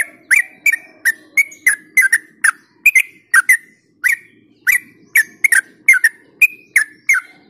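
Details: Yellow-vented bulbul song meant to lure and stimulate other bulbuls, a steady stream of short bubbly gurgled notes with clicky onsets, spaced roughly every third of a second with a few brief pauses, over a faint low background hum.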